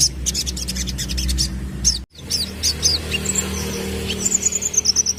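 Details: Sunbird lure song used to make young birds respond: a rapid series of high sharp notes, a brief gap, then scattered thin chirps ending in a quick descending chip sequence, low hum behind.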